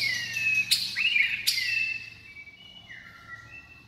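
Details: White-rumped shama singing clear, slurred high whistles punctuated by two sharp snapping clicks, followed by a softer, drawn-out descending whistle.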